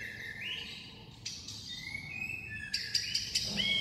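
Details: White-rumped shama singing a varied, many-toned song: clear whistled notes rising and held high, then a burst of sharp bright notes near the end, over a low background hum.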